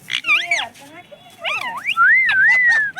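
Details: Parrot kept at home that says mummy and papa. Mixed squawky voice-like syllables swerve up and down, ending in a long smooth whistle that wavers and slowly falls.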